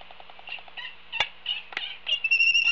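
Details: Laysan albatrosses at Kauai, 13 March 2018, practising courtship dance to form pair bonds: a quick run of soft nasal pulses, two sharp bill clacks, then a drawn-out, steady high whistle.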